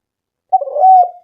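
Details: Spotted dove used as a lure to get doves calling. After half a second of silence comes a single long, hoarse coo that swells and then fades, with the start of another note at the end.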